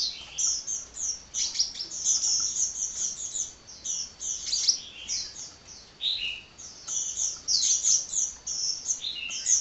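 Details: Hummingbird singing vigorously without pause: a dense run of high, thin chirps and twittering phrases in quick succession, with short trills and bright sweeping notes over a faint steady background hiss.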